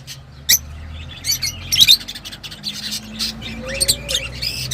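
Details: Lovebirds at home making scattered short high chirps and a few squeaky whistles, fairly soft, with a low hum and faint background tones.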